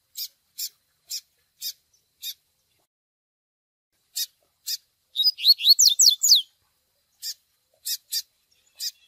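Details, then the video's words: Double-collared seedeater tutoring recording, chick calls with Tui Tui Zel Zel song: evenly spaced dry high chips, broken by a rapid series of loud downward-sweeping whistles, then more chips. "Tui Tui Zel Zel com Piado de Filhote Para Encarte de Coleiro Pardos!!!"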